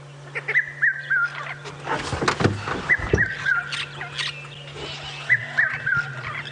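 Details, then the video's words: A red-chested cuckoo calls at a sunrise safari drive on 29 October 2016, early morning, perched atop a knobthorn tree; three-note whistled phrases falling in pitch, repeated every two to three seconds, over a steady engine hum and rustling. "It's a red-chested cuckoo you can hear going, "Bit my fro.""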